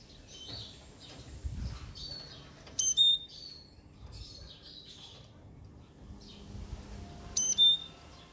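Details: Siskin song in sparse fragments: soft high twitters and buzzy warbles broken by two loud, sharp descending whistles, over quiet low background noise.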